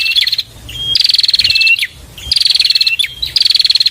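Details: Bar-winged prinia song used as a tutor recording for songbirds: loud buzzy rattling trills near one high pitch, each opened or closed by a quick whistled slur, in bursts about every second with short pauses between.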